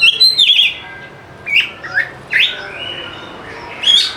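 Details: Oriental magpie-robin (kacer) song for prompting lazy birds to sing: a bright warbled burst opening, then scattered rising whistles and swooping notes separated by short gaps, ending with a high trill.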